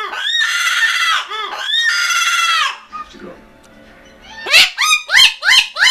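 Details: Newly adopted large cockatoo screaming after hearing a recording of another cockatoo: loud, harsh, harmonic-rich screeches in long drawn bursts, then a run of short sharp shrieks in quick succession, with quieter background noise between.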